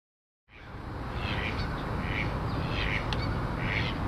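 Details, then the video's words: Canada geese at the ponds of Rose Hills Memorial in Whittier, California, early 2008: four harsh, nasal honks spaced about a second apart rise over a steady roar of wind or traffic. "Canada Geese"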